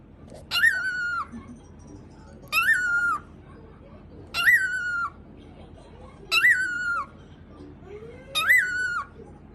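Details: After mimicking gargling, a pet cockatiel gives a series of five nasal, dog-like barks at a steady pace, roughly one every two seconds. Each bark opens with a harsh crackle and ends abruptly. Brief soft background sounds are heard indoors.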